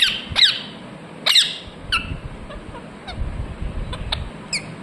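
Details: Parrot talking "mithu mithu": three loud, harsh, harmonic syllables open the recording, then only faint scattered chirps and low rumbling noise.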